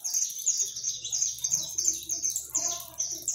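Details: Free saffron finches, over 100 of them, gathered to feed in a backyard and singing: loud, piercing, high chirps packed closely together, with faint lower sounds in the background.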